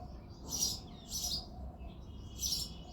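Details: February early-morning singing from a male house sparrow, three bright, harsh chirps, two close together and one after a pause, with a faint low hum underneath.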